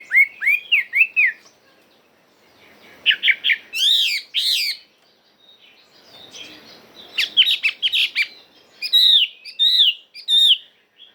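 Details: Chinese hwamei singing in true forest style: bursts of loud, clear whistled phrases, some rising-falling slurs, others quick stuttered notes, separated by short pauses.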